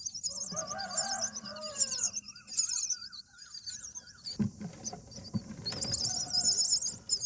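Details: Common myna at its nest on nestling-feeding day 8, a parent calling its mate out of the nest and fighting nest bugs; dense high squeaky warbling calls overlap lower wavering, harmonic notes, with bumps and scratching from inside the nest.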